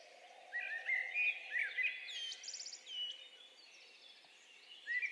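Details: Male common blackbird singing in Central Europe: mellow, fluted, melodic warbling phrases in the mid range, each ending in a high, squeaky twitter, over faint hiss; blackbirds also sing at night in late spring.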